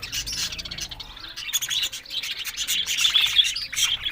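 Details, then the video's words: Continuous high chirping warble from happy, talking budgies, with quick, irregular notes running about two a second and growing louder near the end. "Amazing Talking Happy Budgies Sounds"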